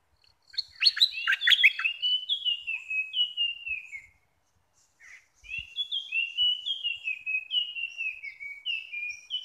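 A streak-eared bulbul gives quick, chattering runs of bright falling chirps in two bursts separated by a short pause.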